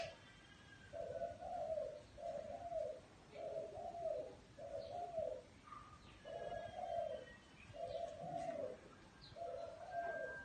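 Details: In a small garden, a spotted dove coos rhythmically, about seven soft hollow phrases roughly one second apart, each slightly rising then dropping; thin high chirps of other small birds sound behind.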